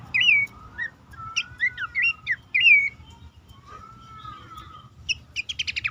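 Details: Horsfield's babbler calling, a lure for caged birds that are reluctant to sing. Several loud whistled notes that bend up and down are followed by a long soft whistle and a final burst of fast stacked chips.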